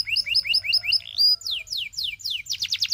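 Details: Canary alternating tour types: a bubbling run of paired notes, a rising whistle, a series of descending slurs and a closing rapid trill.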